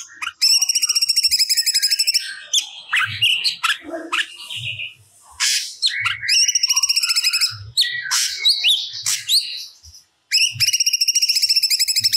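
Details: Cucak cungkok delivering stored song material: bursts of fast ringing trills separated by a jumble of varied whistles, chirps and scratchy notes, with the trill returning after a brief silence.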